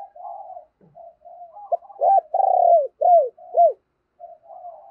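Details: Spotted dove decoy calling to lure wild doves, soft low murmurs building into a loud series of four arched coos, then quiet cooing again.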